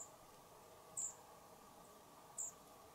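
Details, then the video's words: Pied flycatcher fledglings departing a nest box, recorded by a camera on a tripod beside it: two short, very high thin call notes about one and a half seconds apart over a quiet steady hum. "Kirjosiepon poikanen lähtee pesästä"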